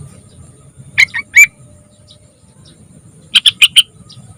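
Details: Young yellow-vented bulbul singing actively, used as a lure to prompt other bulbuls to sing: three sharp chirpy notes near one second, then a quick run of four bright notes after a pause, over a faint low hum.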